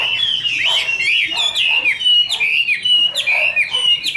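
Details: Kept female Chinese hwamei singing with a male heard behind: bright, loud whistled phrases, each sweeping down and then up, repeated several times a second in a lively run.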